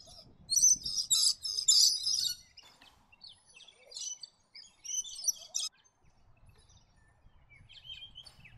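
Scaly-breasted lorikeet giving harsh, grating screeches in bursts, loudest early on, then scattered thinner chirps; faint low background noise.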